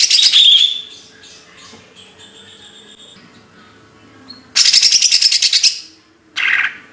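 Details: Bird song with a loud scratchy opening phrase, faint thin whistles, then a fast rattling series of about a dozen sharp high notes and a closing buzzy burst.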